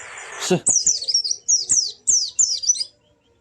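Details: White-eye, cage bird, used to stir a silent one into singing: a short noisy burst, then a run of quick, very high warbled chirp phrases.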